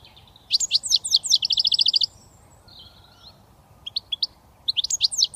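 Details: Young British goldfinch in early song: a burst of high twittered slurs runs into a quick trill, then a soft pause, faint notes and fresh twittering bursts.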